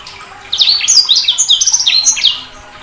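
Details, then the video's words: Sanger bird pouring out about two seconds of fast, high, chattering chirps with sliding whistled notes. "Suara Burung SANGER"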